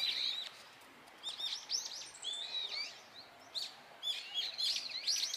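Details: Brown-eared bulbuls in Japan calling loudly while feeding on nectar in a blossoming cherry tree: shrill, squealing notes that rise and fall, given in bursts with short pauses between.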